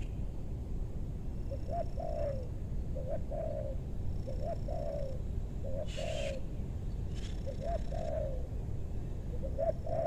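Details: Spotted dove being lured in wild trapping at a meranti forest in western Bogor, targeting a big-voiced bird: low cooing phrases, each a short note followed by a longer falling coo, repeated about every one to two seconds, with faint chirps.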